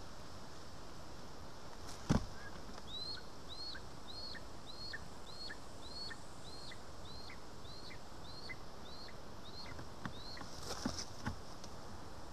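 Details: Lesser spotted eagle at an Estonian nest on 2 August 2020, fed voles: a long regular series of about fourteen short, thin, upslurred whistles, evenly spaced, with occasional knocks and rustles.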